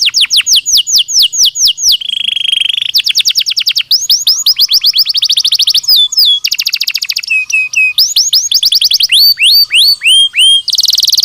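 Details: Belgian canary singing naturally, kept for daily stimulation and training of other canaries; loud continuous song of rapid repeated trills and whistled rising and falling notes, with buzzy rolls and sweeping slurs changing every second or two.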